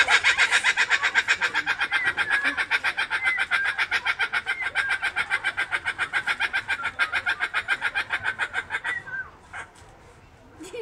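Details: A laughing kookaburra at Knockhatch Adventure Park in summer 2017 gives a long, rapid, rhythmic laughing chatter, about four notes a second, breaking off after nine seconds as if tiring; faint voices follow.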